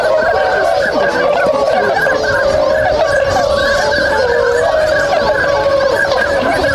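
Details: Swans waking at dawn activity in Inzai City, Chiba, Japan, 16 January 2022; a dense, droning chorus of honks, with one drawn-out downward-gliding call near the middle.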